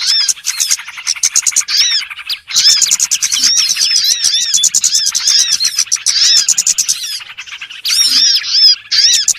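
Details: Small-bird lure call for trapping, full of shrill overlapping twitters and quick upswept chirps, briefly dropping out twice before the busy chorus resumes.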